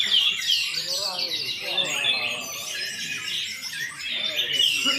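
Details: Orange-headed thrush in 'teler' song: a continuous rapid jumble of high whistles, trills and harsh squeaky notes pouring out for the whole stretch. Softer low murmurs sound underneath.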